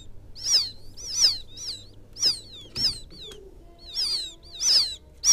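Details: Quail chick calling its mother in a field quail lure recording: about eight sharp, high, down-slurred peeps at irregular gaps, with a brief click midway and low background hum.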